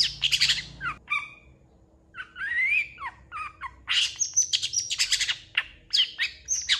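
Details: Lively long-tailed shrike song rich in fill phrases: harsh chattering bursts, a slurred rising whistle, repeated buzzy notes, then a dense run of high, sharp whistles and squeaks with hardly a pause.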